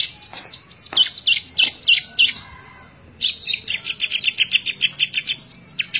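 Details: Bar-winged prinia, a lively singer for training other birds, recorded May 2017: rapid bursts of sharp high chirps and trills, about three per second, broken by a brief pause, with faint low background noise.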